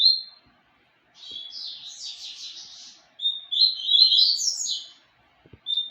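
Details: Song of the papa-capim seedeater Tempestade: a short whistle, then an extended buzzy warble that rises, followed by a bright run of whistled notes and a final short whistle, with occasional soft clicks.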